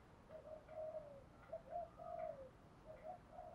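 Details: Spotted dove lure bird calling to draw wild doves. Soft, distant-sounding series of level hooted coos, some slightly sliding down, grouped in short phrases over a steady background hiss.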